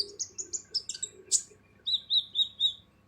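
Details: Kolibri ninja sunbird, harsh-voiced song for tutoring other birds: a fast series of high buzzy notes stepping up and down, then a row of five evenly spaced lower slurred notes.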